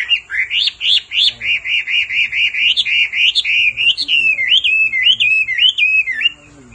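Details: Male Hwamei excited into song by a female's repeated calls, delivering fast runs of identical loud whistled notes, then a rolling warble of mixed phrases.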